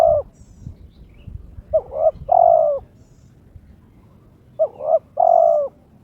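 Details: Kept spotted dove (terkukur) in breeding condition, calling to challenge its opponent: the end of one coo, then two full phrases of paired short notes leading into a long rich coo.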